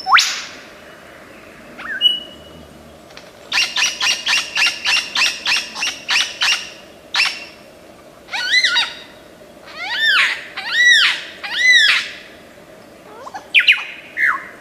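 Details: Lyrebird of Australian forests, famous for imitating sounds: a long mimicry run with rapid series of about a dozen harsh clipped notes, then loud arched wailing calls repeated every second or so, and whistles.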